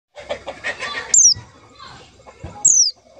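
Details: White-eye lure call used to attract and trap white-eyes: two loud, high, thin whistles, each sliding sharply downward, over a jumble of softer chirps and low murmuring at the start.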